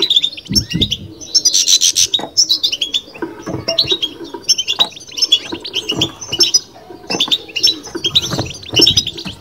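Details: Caged European goldfinch singing the bitbita song style: rapid twittering, tinkling notes and buzzy trills in bursts, with one dense buzzy passage near the start and low knocking thuds beneath.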